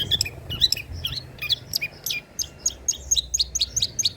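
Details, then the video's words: Long-tailed shrike singing old-style song material, used for luring and tutoring birds: a fast run of sharp, high chirps that become evenly spaced, roughly five per second toward the end, over faint low background hum. "BURUNG CENDET MATERI JADUL"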